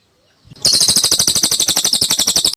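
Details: Song of the cililin, or Lesser green leafbird, used to train songbirds after moulting: silence, then an abrupt onset of a very fast, high, buzzy chatter of repeated sharp notes that runs to the end.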